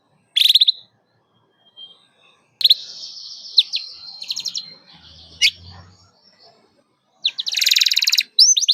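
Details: Canary singing in bursts: a short trilled note, then a sustained buzzy high trill with clicks, pauses, and a final rapid rolling trill, bright and high-pitched throughout; used as a lure to teach young canaries to sing.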